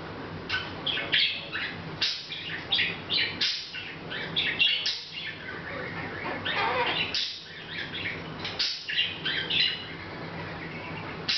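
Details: A Hahn's macaw at home, unaware of the camera, chatting in August 2012; rapid clusters of scratchy chirps and squawks come in bursts with short pauses over an 11-second stretch, above faint hum.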